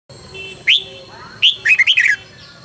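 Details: Caged red-whiskered bulbul singing in a morning training session, Vietnam: a sharp upslurred note, then a quick run of four or five bright warbled notes; faint background chirps from other birds.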